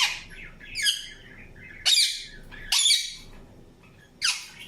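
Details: Spaced harsh screeches from an Indian ringneck parakeet, each a loud broadband burst about a second apart, with one stacked, layered call early on and quiet pauses between.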